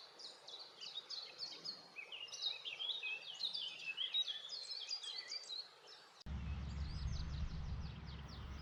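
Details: A Blackcap, newly returned migrant, sings on a late-April morning in spring woodland on Dartmoor, England: a rich, fast warble of clear fluty and scratchy notes in quick bursts; a sudden cut near the end brings a low rumble of wind.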